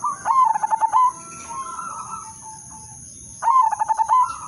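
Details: Udanmas silver zebra dove, a lure bird to make other perkutut sing, gives a stuttered opening into a rolling coo, a softer trailing purr, then a fresh phrase about three seconds later, with a high steady hum.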